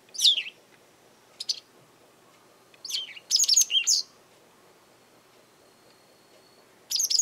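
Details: A Japanese wagtail in a garden, calling often, gives sharp, high chirping calls in short bursts every second or two; the owner wonders whether it is demanding something, threatening others or claiming territory.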